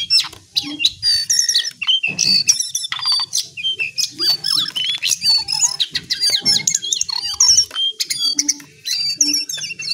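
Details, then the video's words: Lesser shortwing, known locally as jongkangan or cingcoang coklat, delivering a fierce, rapid chattering song: dense jumbled high whistles, trills and sharp squeaky notes in quick bursts with brief gaps, over a faint low hum. "Ocehan pedas burung jongkangan/cingcoang coklat"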